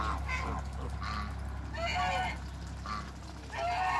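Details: Farm-kept African geese, a group of three, giving several rough nasal honks at uneven intervals over a constant deep hum.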